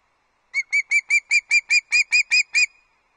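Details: An osprey brings early breakfast to the Loch Arkaig nest, 31 August 2022. It gives a steady run of eleven piercing, whistled chirps, about five per second, evenly spaced and equally loud against silence.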